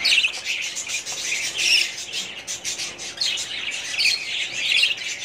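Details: Budgerigars in their breeding colony, 2017: waves of loud scratchy chatter and chirps come in bursts roughly every second or two, many birds calling over one another.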